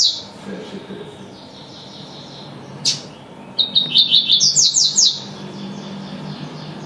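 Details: Double-collared seedeater delivering one tui-tui phrase after a quiet stretch and a brief click: staccato high notes leading into a fast series of ringing, descending-sweep syllables.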